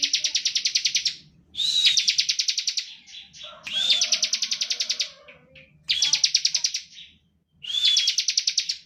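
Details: Repeated song of an active bar-winged prinia, 'ngebren' style, played to get other prinias singing. Five long rattling trills of rapid pulses, several carrying a short rising whistle, with faint chips between bursts.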